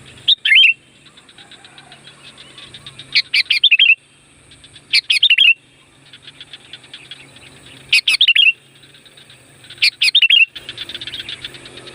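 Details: Loud sooty-headed bulbul (kutilang gunung) song used to call wild birds: short bubbly, gurgling phrases of rising and falling whistled notes, repeated about every two to three seconds, with a steady high tone behind.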